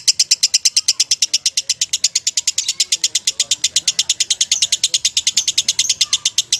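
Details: Champion lovebird delivering a long, unbroken chattering song: sharp, high, buzzy chirps repeated very fast, about seven to eight per second, steady in volume throughout, with faint low background noise.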